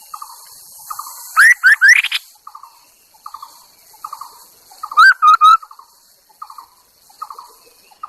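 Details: Chinese hwamei decoy bird used for luring: two bursts of loud, rising whistled notes, three to four in quick succession, set among soft, lower chattering note groups repeated about every second.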